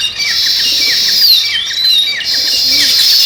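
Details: Sparrows chirping in a thick, continuous chatter, with slurred descending whistles and short repeated chip notes running beneath the high twittering.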